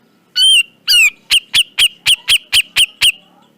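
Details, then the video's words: Grey-cheeked bulbul, locally cucak jenggot, on a tutor recording. Two loud whistled notes, the second sliding down, then about eight sharp, evenly repeated notes at roughly four per second, with a faint low murmur underneath. "Masteran Burung Cucak Jenggot Dijamin Langsung Nyaut"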